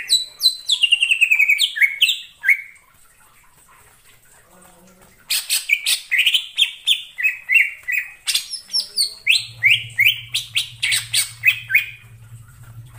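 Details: Wild greater green leafbird in forest, singing rapid chains of bright, downslurred whistles and chirps in three dense bursts separated by brief quiet gaps, with a faint low hum near the end.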